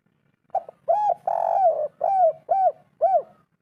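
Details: Spotted dove giving a 'kuk 3' style phrase, local natural voice, used as training playback to make a quiet bird call: a short opening note, then a long wavering coo and three arched, evenly spaced coos, all low and mellow.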